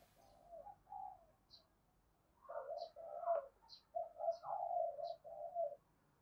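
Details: Spotted dove calling as a lure for wild doves: a few soft coos, a pause, then a louder burst of overlapping low coos and short notes, with scattered high chirps of other birds.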